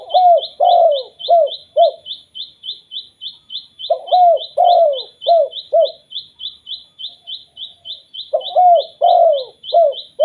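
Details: Spotted dove giving the 'kuk 2' call used to set other doves calling: three phrases of four or five low, husky coos, one note drawn out, with a steady rapid series of high thin chirps pulsing behind.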